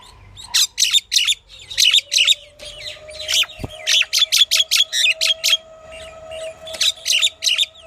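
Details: Pied myna's varied calls: clusters of quick harsh chattering notes in rapid bursts, some squeaky whistled fragments between, with a steady faint tonal hum underneath throughout.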